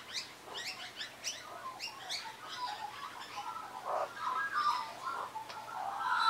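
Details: Several wild Australian magpies, regular visitors perched on a person's arm and knee, sing to them in a 2015 recording; a quick run of sharp, falling chirps gives way to rich, warbled, harmonic notes and fluty tones toward the end.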